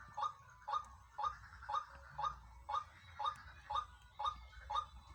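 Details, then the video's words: Pair of white-breasted waterhens in the wild, giving a rhythmic run of coarse, nasal croaks at roughly two per second, evenly spaced and loud over a quiet low background hum. "Ramainya suara sepasang Ruak ruak"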